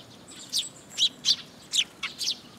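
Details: Several Eurasian tree sparrows flocking to a feeding spot on a post at a shrine, late June; six short, bright chirps come in quick succession, some of them dropping slightly in pitch.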